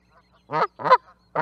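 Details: Canada goose giving two loud, harsh nasal honks close by, each rich and throaty, followed by the start of a third honk against a quiet background.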